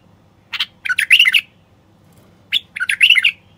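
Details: Song of a male common bulbul, used to rouse silent wild bulbuls and to urge females to mate and build nests: two rich, chortling warbled phrases, each opening with a sharp note.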